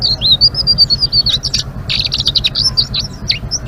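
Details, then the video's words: Blue-winged leafbird pouring out twittering ngeriwik song, with smooth high whistled notes followed by a busy, buzzy chatter of quick chirps, a low hum running throughout. "Suara Burung Selendang Biru Gacor❗❗ Ngeriwik"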